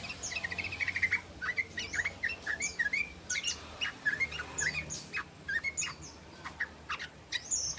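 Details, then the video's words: Practising the long ropel trill, a yellow-vented bulbul gives quick bursts of short chirped and slurred notes, some rising, some dropping, in clusters separated by brief pauses, over faint steady low background noise. "SUARA BURUNG TRUCUKAN BELAJAR ROPEL"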